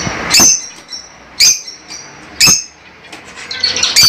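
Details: Pet lovebirds calling with sharp high chirps roughly once a second, separated by soft low chatter.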